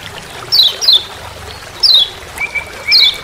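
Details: Forest recording from Lombok of a lemon-bellied white-eye's 'ciak ciak' call: four thin, high descending chirps in about three seconds, with two flat lower whistles near the end.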